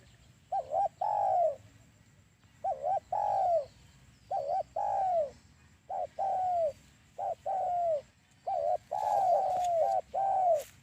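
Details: Spotted dove call used as a lure for trapping doves: phrases of two quick short notes then a long drawn-out coo that falls in pitch, repeated about every two seconds, with a faint steady high hiss behind.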